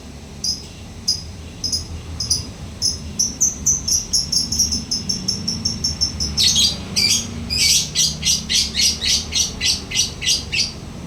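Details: Lovebird singing actively in the long chattering ngekek style: thin high ticks speeding up steadily, then breaking into loud, rapid, rasping pulses about eight per second.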